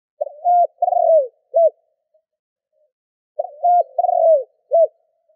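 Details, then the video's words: Decoy spotted dove cooing to excite and attract wild doves: two phrases of three parts each, a flat hoot, a longer tremulous falling coo, then a short clipped note, separated by a silent gap. "Tiếng cu gáy mồi thúc gù kích bổi Hiệu quả"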